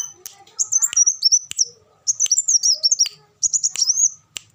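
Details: Three quick runs of sharp, very high trilling notes from an olive-backed sunbird, each about a second long, with a few clicks and faint background chirps. The recording serves as a tutor song for captive birds.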